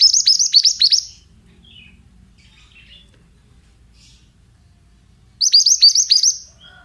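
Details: Male pied bushchat 'bahan' song: two bursts of rapid, high, sharply descending chirps, about seven notes each, separated by several seconds of quiet with faint background twitters.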